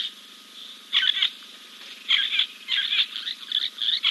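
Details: Giant kingfisher preening after a dip, King's Camp live camera, 2 April 2024; short scratchy bursts come in irregular groups after a quiet start, backed by a continuous thin high hum.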